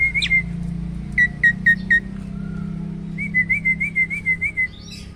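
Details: Caged hybrid of black-winged and Asian pied starlings giving a 'roll tembak' tutor song. A sharp whistle leads into four clipped repeated notes, then a rolling series of wavy whistles at a steady mid pitch.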